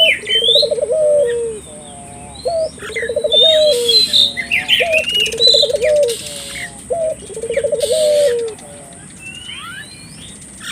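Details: {'caption': 'Dove lure of a collared dove to set off local doves: a series of four rolling, throbbing coos with brief introductory notes, mixed with sharp chirps and twitters from other birds and steady background hiss.'}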